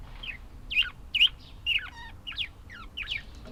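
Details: Budgerigars giving quick, bright chirps in a loose run of about two per second, each note sliding down, with a brief raspy rattle in the middle.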